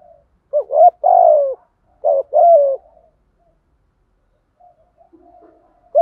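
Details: Lure call of a spotted dove, 'thổ' voice Thúc Gù, meant to set wild doves cooing in reply. Two deep cooing phrases ending in long descending hoots, then a quiet gap with faint low murmurs and the start of another coo.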